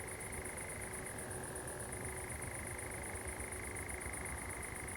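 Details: Common nightjar at night on 7 July 2020 among pines at Zamudio, Txorierri, Biscay; a long even churr that drops slightly in pitch, then holds, over soft low background rumble.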